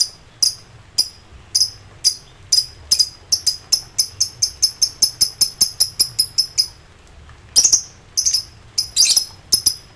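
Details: Ngekek song of a lovebird, excited and summoning rivals: spaced piercing chirps speed into a fast, even run of clipped notes, fall briefly silent, then break into harsh, scratchy chatter.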